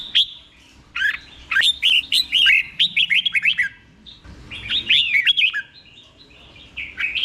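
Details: Red-whiskered bulbul in a cage in Thailand, song played so caged bulbuls pick it up; a long string of quick warbled whistles with sharp downward slides, pausing once before another richer phrase.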